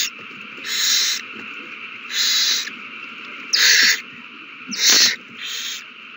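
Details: Owls at a nest during a frenzy after one finds a mouse and passes it to another, recorded 21 March 2020: loud, harsh hissing bursts about a second long, repeated roughly every one to two seconds over a steady background hiss.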